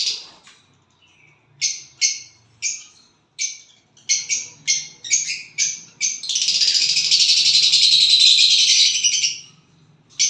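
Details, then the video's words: Violet bird chirping after getting a partner: a steady series of short, sharp, high chirps roughly every half second, then a long continuous harsh buzzy trill of about three seconds. "violet bird singing and chirping sounds when you get a partner"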